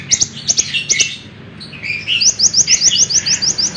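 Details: Lemon-bellied white-eye singing for songbird training: high twittering notes, then a brief lull, then a quick series of rising thin chirps repeated about four times a second, with low background hum.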